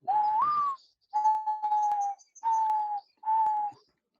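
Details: Mourning Dove cooing in the morning in the field: a rising first note, then three long, even, soft hollow coos spaced about a second apart, with faint high chirps in the background.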